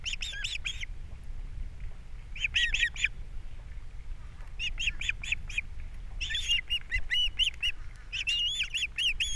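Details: Captiva osprey nest on April 3, 2022. The male has brought breakfast fish and the female is feeding the babies. Repeated clusters of high, piercing chirps are heard, each cluster holding several quick notes with short gaps between.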